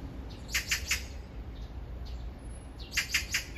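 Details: Two crisp bursts of three harsh, scratchy notes each, about two seconds apart, as a magpie calls to its mate a few metres off in a drawn-out courtship exchange; faint wind below.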